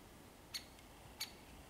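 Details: Great spotted woodpecker, 13 February 2022, giving two sharp, high 'kik' alarm-type notes about two-thirds of a second apart, against a quiet background.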